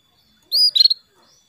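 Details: Calling female canary summoning a male, used to spur male canaries to sing. A clear high upslurred tweet leads straight into a quick rattling cluster of four or five sharp chirps, then silence.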